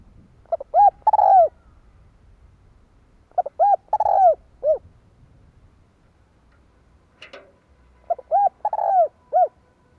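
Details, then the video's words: Decoy spotted dove cooing to lure wild doves, 2023: three repeated soft phrases of short hoots, a drawn-out falling coo and a closing note, with a brief sharp click before the last phrase. "Tiếng cu mồi gáy hay kích mồi tập bổi"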